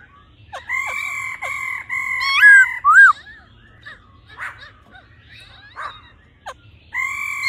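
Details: A female laughingthrush calls to excite the male with a run of flat whistled notes and a couple of sharp bent chirps, followed by scattered soft notes and a closing whistle.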